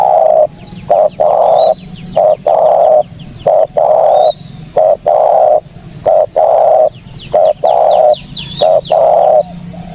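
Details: Spotted dove sound meant as a lure for trapping birds: steady run of loud, low, even coo notes, each about half a second, spaced at a fairly regular rhythm, with faint high bird chirps above.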